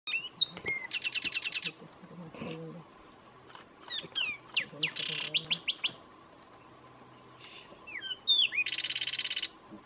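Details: Zapata wren singing in Zapata Swamp, Cuba, its only home: bursts of fast buzzy trills mixed with clear rising and falling whistled notes, repeated phrases with short pauses, over a steady high insect hum.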